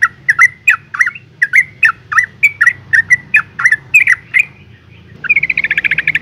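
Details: Yellow-vented bulbul (Pycnonotus goiavier), call: breeding female calling to males.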